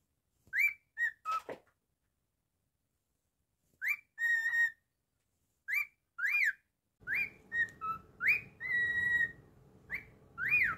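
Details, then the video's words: Pet cockatiel whistling in bursts: short rising whistles and a held note separated by pauses, with a steady hum and background noise joining in the second half. "Monty The Naughty Cockatiel's weekly moments"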